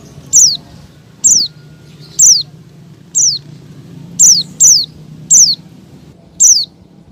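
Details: Calls of a female Oriental white-eye in breeding condition, calling the male, meant to prompt caged males to open their beaks and sing: sharp thin downslurred notes repeated roughly once per second, eight in all, over low hum.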